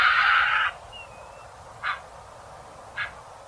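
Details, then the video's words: Egret sound used to lure birds for trapping: one long, loud, grating squawk lasting over half a second, then two brief, softer rasping croaks about a second apart. "TIẾNG CÒ TRẮNG"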